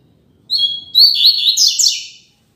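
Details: Double-collared seedeater singing the Tui Tui Zel Zel classic song, a tutor song for training birds: short whistled notes lead into a rapid, rising jumble of high twittering syllables lasting under two seconds, with no other sounds.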